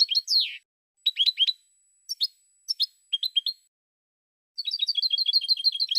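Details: European goldfinch song, 2016 recording: bright, high twittering bursts of quick slurred notes separated by short pauses, ending in a fast, even trill of repeated notes, with a faint steady high tone behind.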